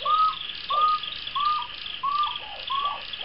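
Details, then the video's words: Moustached turcas, Pteroptochos megapodius, a pair seemingly courting, give a regular series of five bright whistled notes, each a flat clear whistle dropping into a soft downslurred lower note, repeated roughly every two-thirds of a second against constant background hiss. "PAREJA DE TURCAS (Pteroptochos megapodius) EN CORTEJO"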